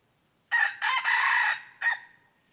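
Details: Red junglefowl recorded on 23 January 2022 during decoy luring to trap wild fowl. It gives a loud, harsh crow in three parts: a short opening note, a long sustained middle section, and a clipped final note. The background is quiet.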